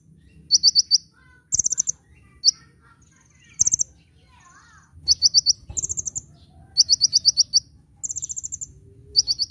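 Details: Caged-bird training song of a kolibri ninja sunbird, singing energetically: shrill, fast stuttering trills of piercing notes in short bursts, some single sharp chips, with a brief soft warble midway and quiet low background rumble.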